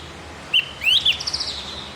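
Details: Javan grey-throated white-eye singing, recorded to teach captive birds their song: one short whistle, then a long rising slurred phrase breaking into quick high twittering notes that trail off.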